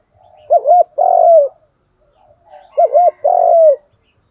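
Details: Spotted dove cooing, a call style used to train decoy birds: two phrases, each two short looping coos followed by a longer, slurred, slightly falling note, about two seconds apart, in a quiet setting.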